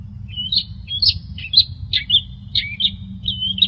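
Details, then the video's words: Long-tailed shrike song from a recording used to train other songbirds: short whistled slurs and sharp chirps alternate in quick succession, roughly two per second, with a faint low background hum. "Masteran Terbaik Pentet / Cendet"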